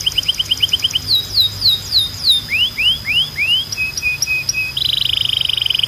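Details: Belgian canary singing a strong, clean training song: a quick run of short high notes, then falling slurred sweeps, rising swoops, brief tonal pips and a fast buzzy rattle at the end, over a steady thin high tone.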